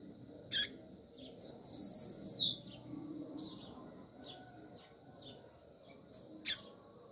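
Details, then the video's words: Calling female double-collared seedeater stimulating the male. A sharp high chip opens, then a brief warbling twitter follows, with scattered soft notes and a final piercing chip about six seconds later. "FÊMEA DE Coleiro FOGOSA Piando E Chamando MUITO ESQUENTE SEU COLEIRO"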